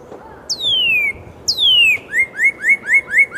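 A northern cardinal gives two long, clear whistles slurring down from high to low, then a quick run of six short rising 'birdy' notes.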